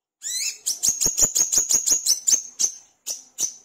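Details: Olive-backed sunbird (kolibri kelapa) singing vigorously, recorded to draw other birds into song: a raspy opening note, then a fast, even run of about a dozen piercing high ticks, briefly paused and resumed.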